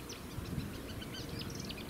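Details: A common chiffchaff, a common songbird of Dutch marshes, sings in spring at the Zouweboezem marsh: short, high 'chip' notes stepping up and down in pitch, over a steady low rumble.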